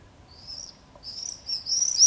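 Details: Common swifts from two pairs nesting at a house in a street in Beek Ubbergen, the Netherlands, in July, giving shrill, buzzy high-pitched screams in screaming parties, starting sparse then building into overlapping, louder bursts near the end.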